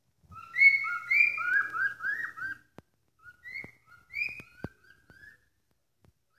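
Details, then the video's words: Domestic cockatiel calling loudly at home at an odd hour: a series of short, shrill, rising-then-falling whistled notes in irregular bursts, broken by several sharp knocking clicks in the room. "Calopsita joaminha gritando essa Hora"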